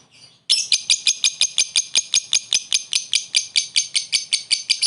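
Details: Lovebird's short ngekek laughing call, given to call a rival and serve as a lure: a steady train of about twenty harsh, clipped high notes, roughly four per second, after a faint opening squeak.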